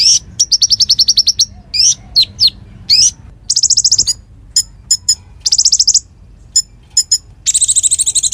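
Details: Konin singing actively, a tutor song for murai: fast series of high chips, rising slurred whistles and buzzy rapid trills mixed in varied, quick-changing phrases.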